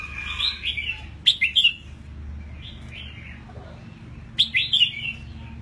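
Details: Newly moulted eight-month-old red-whiskered bulbul in a cage repeats a lively whistled phrase twice, each a burst of three or four sharp slurred notes, with softer warbling between.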